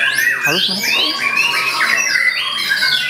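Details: White-rumped shama singing in its sought-after full-material style: bright rising and falling whistled sweeps, a quick trill near the start, then long clear arching whistles following one another.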